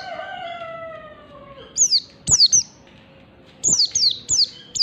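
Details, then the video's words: Oriental white-eye, wild forest bird used as a lure: after a lower, long descending whistle from another sound, bursts of high, thin, downslurred chirps come in quick doublets and triplets. "pleci ngalas standar ^^ Oriental white eye bird | pancingan pleci ampuh"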